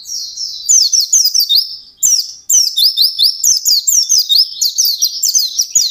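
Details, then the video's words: White-eye in full gacor ngalas song, meant to stir other white-eyes into singing. Dense, very high twittering phrases of quick up-and-down whistles, broken by brief gaps. "SUARA BURUNG PLECI GACOR NGALAS CEPAT MERANGSANG EMOSI PLECI ANDA AGAR CEPAT BUNYI"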